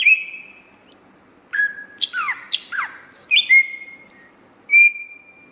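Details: Greater green leafbird in full, vigorous song: a varied run of clear level whistles, buzzy downslurred notes and sharp high accents, each phrase short and the phrases following one another closely.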